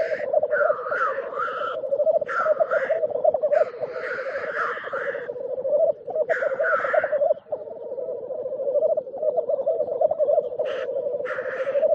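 Black grouse give a steady, low, dove-like bubbling that runs almost without a break, cut every second or two by harsh, hissing sneezes.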